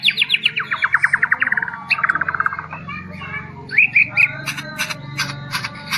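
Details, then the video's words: Song of a Medan-type white-rumped shama: rapid trains of repeated whistled notes slowing slightly, then bright rising whistles and sharp clicks over a low background hum. "Murai medan bisa sampai sujud sujud nih.. Keren pisan"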